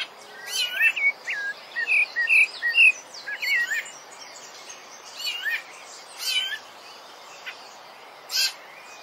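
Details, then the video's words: Rufous-bellied thrush (sabiá-laranjeira) song, used as training song for kept birds: short melodious whistled phrases with slurred, warbling notes, separated by pauses, plus sharp scattered clicks and a low steady background hiss. "SABIÁ - CANTO PARA TREINAR SEU PASSARO"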